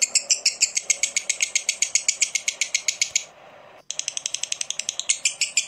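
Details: Lovebird in a ngekek chattering bout used to spur other lovebirds into song: rapid, harsh, high-pitched notes in a steady stream, a half-second pause, then the fast rasping chatter resumes.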